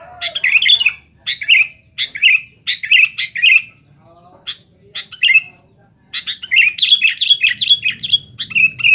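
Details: Persistent, noisy Sooty-headed bulbul song aimed at pressing rivals: short chirpy phrases about one per second, a lull, then a denser rush of bubbling, down-slurred notes.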